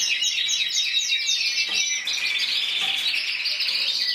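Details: Intense yellow canary, 2014 Spanish champion scoring 94 points, singing rapid trills followed by a long drawn-out warbling roll and a clear whistled note near the end.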